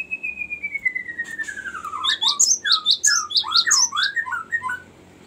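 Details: Long rolling song of a Cinereous tit, used as a lure and as a master song for training birds. It opens with a long, gently falling whistle, then a jumble of quick high and mid notes with a faint background hiss.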